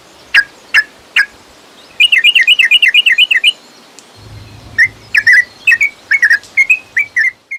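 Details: Yellow-vented bulbul song as a lure for a caged bird: a few separate sharp notes, a rapid rolling trill, a low hum, then bubbly whistled phrases resuming.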